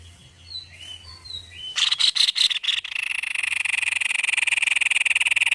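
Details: White-necked babbler in vigorous song: soft faint whistles, then a few loud harsh pulses leading into a long, steady, rapid buzzing trill.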